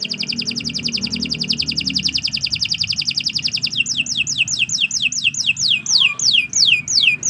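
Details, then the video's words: Canary singing a long, rapid, evenly repeated high trill that shifts into slower, separate downward-sweeping whistles, given as a training recording for other songbirds. "Kicau Burung Kenari"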